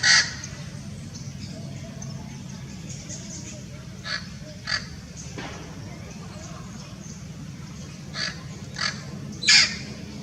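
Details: Hybrid Blue-fronted x Red-crowned Amazon parrot in Irvine Regional Park, Irvine, California, on January 9, 2018, during winter, uttering scattered harsh squawks at irregular intervals over ten seconds, the last one loudest, over a low background hum.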